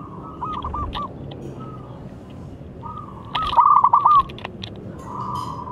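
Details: Young local zebra dove, a strong singer used to stimulate other birds, giving several short trilled coo phrases separated by pauses, the loudest in the middle, with scattered clicks and knocks in the background.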